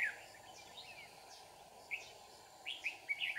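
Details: Red-whiskered bulbul at Kim Bôi, Hòa Bình, during trapping, in a fighting-song context: a brief note at the start, then a cluster of quick bright whistled notes near the end, with a constant hum behind.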